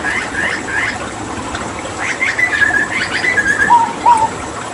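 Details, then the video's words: A hooded butcherbird, a Papuan mimic kept as a master bird for other songbirds, gives a few paired notes, then a run of quick buzzy chips and level whistles, ending in two clear lower whistled slurs. "Masteran Tembakan JAGAL PAPUA gacor"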